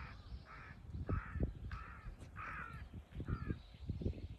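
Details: Crows squaring off against a hawk on 21 October 2023 give six loud, rasping caws in quick succession, each short and flat, with low outdoor rumble underneath.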